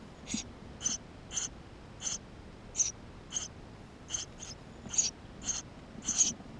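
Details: Eurasian tree sparrow nestlings inside the nest, filmed with a GoPro on 28 May 2016: about a dozen short, high, hissy chirps with a lower band, coming roughly every half second over a quiet background.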